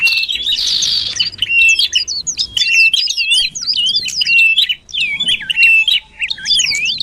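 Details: Common iora lure sound used to draw birds closer: dense, fast twittering of looping chirps and quick up-down whistled notes around a steady high pitch, running almost without pause through seven seconds.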